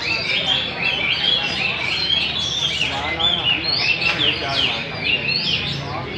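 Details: Competition singing from wild-caught Hwamei performing with display movements; loud, fluent run of bright whistled and slurred phrases, rising and falling notes in rapid succession, faint murmur of people behind.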